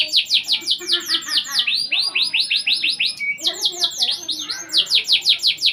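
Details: Loud Indonesian domestic canary song meant to prompt non-singing canaries: dense, rhythmic series of bright downslurred notes repeated several times a second, with a brief steady whistle in the middle.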